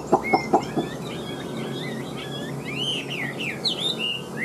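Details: Big-bodied Chinese hwamei, freshly moulted and caged. Opens with three or four loud clicks, then soft, rapid, twisting warbles run on quietly in the background.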